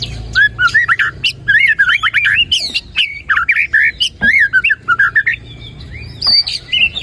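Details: White-rumped shama in full, active song, used as a lure recording to stir a quiet shama into singing: rapid chains of loud whistled notes, rising and falling slurs, and sharp chips packed with varied phrases, barely pausing between bursts.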